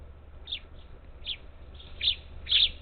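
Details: Feeder near Houston, Texas, on the Gulf Coast, July 27, 2021, where parakeets gather; five short harsh high chirps growing louder, the last pair strongest.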